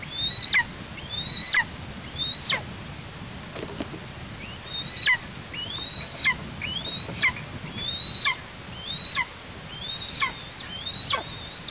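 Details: Eastern imperial eagle chick calling from its nest in Tatarstan on 16 August 2023 as parents bring prey; thin, high whistled notes that rise then drop sharply, about one per second, eleven in all, over a soft low background rumble.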